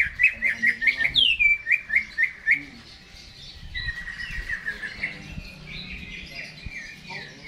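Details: Caged Greater green leafbird singing before being hung up: a quick run of about eight bright, rising chirped notes, then a long descending slur and a softer, rambling warble of varied whistled phrases.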